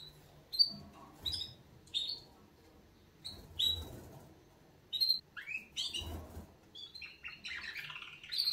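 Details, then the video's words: Canaries at wake-up: spaced, sharp high chirps every second or so, with faint low knocks between them, turning into a quicker warbled phrase at the end. "Kanarienvögel Weckgesang |||Canaries wake-up song"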